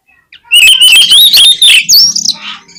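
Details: Lure song of an oriental magpie-robin, meant to make sluggish birds start singing: a continuous bright whistled phrase that wavers upward, cut by sharp clicky notes, ending in a high slurred whistle and fading chatter.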